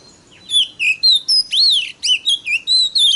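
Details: Oriental magpie-robin (kacer) song used as pancingan, a provoking lure meant to stir other magpie-robins' emotions and make them sing more; loud, clear whistled notes, some swooping up or down, delivered in quick separate bursts with short gaps.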